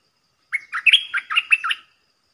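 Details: Caged decoy red-whiskered bulbul, the song meant for young birds to learn and for luring wild birds; a single rapid phrase of about seven crisp, bouncing, whistled-chirp notes, clean with no other sounds.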